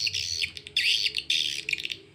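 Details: A swiftlet lure call used by swiftlet farmers to attract birds to roost twitters in bursts of high, buzzy chirps that rise and fall quickly. The chirping is bright and dense, with brief pauses between bursts.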